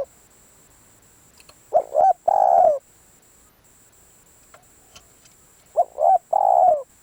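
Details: Decoy spotted dove calling on a day luring brought no result. Two similar phrases about four seconds apart, each with two short clipped coos followed by one longer, steady, mellow coo. Faint clicks in between.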